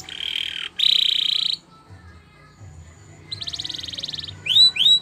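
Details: Canary singing for training: two flat buzzy tones, a quiet gap, then a pulsed rising buzz and two loud arched whistled notes; low hum in the background.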